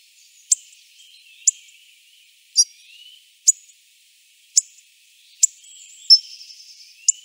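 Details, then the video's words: Hawfinch repeating a hard, explosive high tick about once a second, with a faint background of thin sliding whistles and soft chatter. "Hawfinch Picogordo Coccothraustes coccothraustes"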